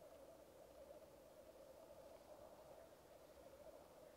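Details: Black grouse lekking, captured on a Rode Videomic Go: continuous rolling, dove-like bubbling from the lek, an unbroken low warble with gentle pulsing and no other clear sounds.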